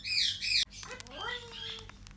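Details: Red eclectus parrot greeting its owner with good morning: a loud, harsh high squawk for half a second, followed by softer human speech.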